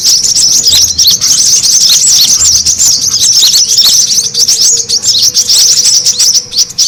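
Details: Attracting-birds lure call of brown-throated sunbird: an unbroken, hectic chorus of sharp, high-pitched chirps and fluttering twitters, slightly sparser toward the end.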